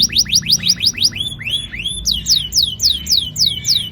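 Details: Canary singing a rolling song used to encourage young birds to start singing; clear swooping whistled notes sliding downward, repeated roughly twice a second with a few shorter chirps between.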